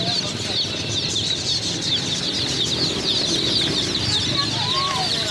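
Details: A flock of new chicks peeping constantly, many short high notes overlapping into a thick, even chatter, with light background rustle.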